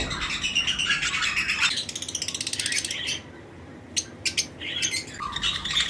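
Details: Several lovebirds chirp in a flight colony during breeding season: busy high twittering, then a fast run of rattling clicks about four per second, a short lull, and renewed shrill chirps.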